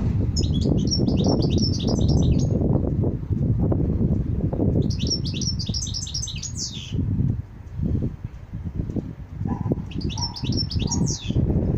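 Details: Goldfinch song: three bursts of bright, tinkling, rapid twittering phrases, near the start, around the middle and near the end, over constant loud low rumbling noise.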